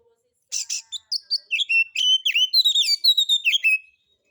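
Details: White-rumped shama song used as a lure to provoke other birds to sing, a relaxed rough-material style: a rapid string of rich whistled and buzzy notes, rising and falling between mid and high pitch, about four per second.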